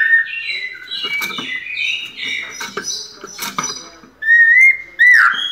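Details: White-necked thrush in pianado song: a string of varied warbled whistles broken by sharp clicks, ending with two loud, clear slurred whistles after a brief lull.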